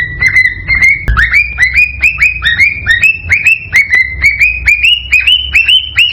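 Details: Mating call of a cockatiel, played so birds will pair and lay eggs: bright, regular upward-sliding whistles, about two each second, climbing slightly in pitch toward the end, with one sharp click early on.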